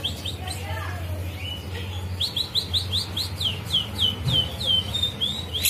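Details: Green leafbird's quick 'ngetrek' phrase using 'kapas tembak' mimicry: a long series of about a dozen short, high, down-slurred notes repeated rapidly, over a steady low hum.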